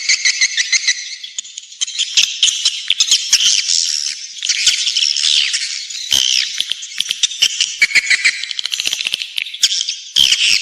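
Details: Swiftlets' nest-attracting lure call, a continuous high twittering chorus of many birds, with buzzy chirps and short rising and falling squeaks layered thickly together, interrupted by brief clicks and sharp ticks.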